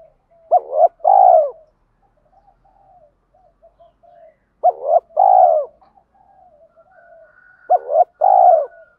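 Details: Spotted dove luring call for wild doves: three repeated low cooing phrases, each a clipped double note followed by a drawn-out, slightly falling coo, with quiet muttering in the pauses.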